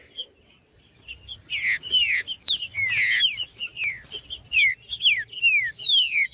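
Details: Green-winged saltator singing in male fighting mode: a fast series of loud descending slurred whistles, repeated roughly twice a second, over a steady high-pitched background tone and scattered clicks.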